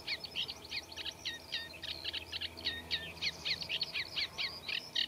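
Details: Eurasian reed warbler in a reed bed: a rapid, even run of rasping, chattering notes, several each second, forming a scratchy song laced with mimicry of other birds.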